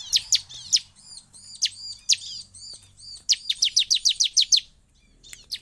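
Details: Excited Bar-winged prinia whose song is said to make other prinias react instantly; scattered sharp chirps with soft arched twitters, then a rapid burst of about ten high chirps in quick succession.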